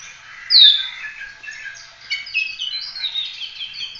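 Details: Full continuous 'tembak' singing of an Oriental magpie-robin, used to train other birds: one loud downslurred whistle, then quieter, quickly varied warbled notes and chirps.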